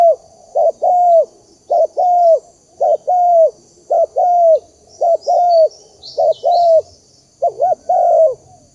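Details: Spotted dove coo used for luring wild doves: a steady series of phrases, each a short doubled coo then a longer drawn coo, repeated roughly once a second; faint high chirps from other birds near the end.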